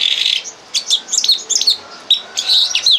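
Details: Tutor song of a red crossbill, played to train captive birds: an opening buzzy burst, then clusters of sharp high chips and brief whistled slurs separated by short gaps.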